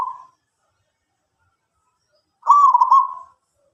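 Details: Local zebra dove singing eagerly. A brief coo cut off at the start, then silence, then one loud, vibrating, level trilled coo lasting about a second, with no other sounds.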